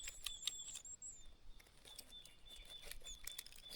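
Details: Treecreeper chicks in a nest hidden in a pine tree crevice give thin, very high, drawn-out whistled notes, faint and continuous, over soft ticking and rustling sounds.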